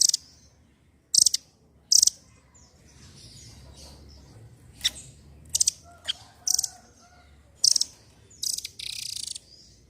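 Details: Velvet-fronted nuthatch song intended to stimulate other songbirds: sharp, very high rattling bursts spaced irregularly, ending in a longer shrill trill, over faint background hiss.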